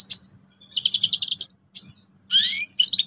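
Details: Canary lure song to make young birds sing: a sharp high note, a short pulsing trill, a pause, then a loud chip and a cluster of rising, overlapping whistles.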